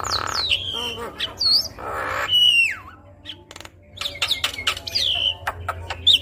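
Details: Javan myna, a lively 'gacor' singer with 'full isian' filler song, used to prompt other mynas to sing: scattered whistled downslurs and rising whistles mixed with harsh buzzy bursts and clicks over a low steady hum.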